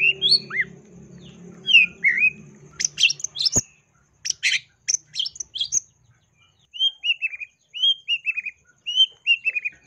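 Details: Long-tailed shrike lure recording full of imitated sounds: opens with looping whistled slurs over a low hum, a brief burst of harsh chatter mid-way, then a series of descending, wavering whistled phrases repeated about every second.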